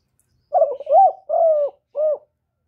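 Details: Spotted dove singing in the 'hạp bổi' voice style, recorded in Vietnam for playback when trapping doves: four mellow, low hooting coos, the first two running together, a longer steady third and a short final note, over clean silence.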